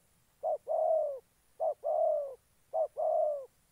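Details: Decoy spotted dove used to lure wild doves in Gia Lai, Vietnam: three phrases, each a clipped short coo then a drawn-out, slightly falling coo, spaced about every 1.2 seconds, otherwise quiet.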